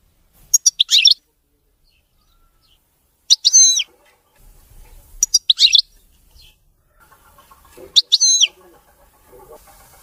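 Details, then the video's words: European goldfinch song, described as clean and free of errors: four short, high twittering bursts with sweeping notes, spaced about two to three seconds apart, with faint low rustling between them. "تغريد ملك الطيور المغردة الحسون (المقنين) نظيف وخالي من الأخطاء"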